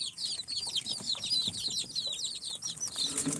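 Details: Four-day-old chicks from an incubator (Sultan, Golden Sebright, Cochin and booted breeds) peep loudly and continuously, many thin, high chirps overlapping and falling in pitch, packed several per second.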